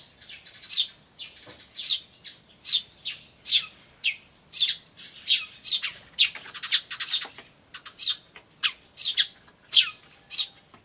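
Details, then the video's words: Eurasian tree sparrows, chicks begging "chi chi" and adults chattering "jyujyujyu" and "chun", May 2013: rapid, dense run of high chirps about twice a second, interleaved with softer chatter. "スズメと雛の鳴き声(5) Sound of Tree Sparrows and chicks (5)"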